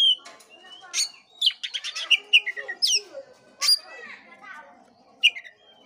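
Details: Oriental magpie-robin training song meant to rouse a sluggish bird to sing: clear whistles, rapid clicking bursts and sharp high chirps in an uneven sequence, with faint voices low in the background.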